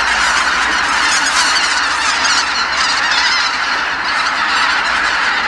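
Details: Tens of thousands of geese calling together as they return at dusk from feeding to Kabukuri-numa marsh after sunset; a dense, continuous wall of overlapping honks and cackles with no gaps.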